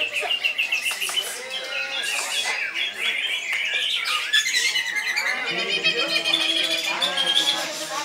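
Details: Greater green leafbird singing koncer, a long, unbroken torrent of sharp chirps, slurred whistles and rattling trills, with some faint lower tones beneath.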